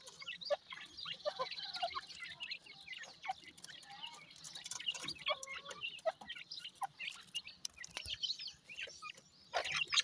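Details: Grey francolin chicks while feeding, giving thin, high chirps and cheeps, many short notes overlapping at irregular intervals throughout, with a few louder squeaky notes near the end.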